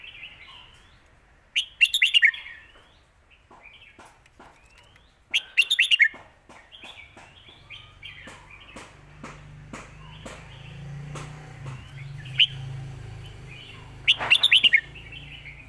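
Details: Red-whiskered bulbul singing the Lak Wai style, described as a master song: three short bursts of bright, warbled notes spaced several seconds apart, with a low hum and faint background noise between phrases.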